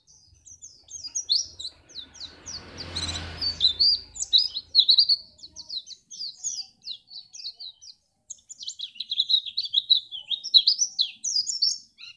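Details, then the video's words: Long, energetic high twittering from a white-eye in Pacitan, meant to spur contest birds into song: dense bursts of sharp chirps, one brief gap midway, and a low rumble near the start. "pleci ini bisa membuat burung mu gacor"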